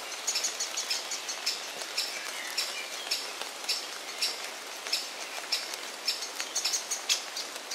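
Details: Great spotted woodpecker chick chirping inside a nest hollow beside a parent, a second parent calling in the background; rapid high thin chirps repeated several times a second over steady hiss.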